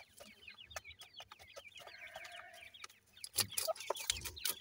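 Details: Grey francolin (dakhni teetar) chicks, with a pair of adults: faint, quick, downslurred high peeps repeated rapidly and irregularly, with a few sharp clicks and a steadier tone underneath.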